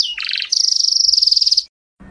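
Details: Canary singing, meant for training young birds: a brief descending note, then a rapid buzzy trill and a long, very high, even rattle-like trill. The song breaks off into a short silence before a faint low hum.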